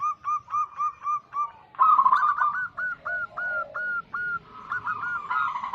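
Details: Local wild zebra doves, played as a lure to attract wild doves and to prompt silent doves to sing. A rapid run of short, clipped coos repeats about eight times, then overlapping rolling coos and a lower, softer cooing follow.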